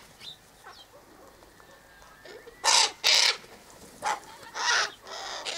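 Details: Sulphur-crested cockatoos at a daily seed handout near the eastern gate; after quiet soft calls, a sequence of four or five explosive, harsh, screeching squawks erupts close by.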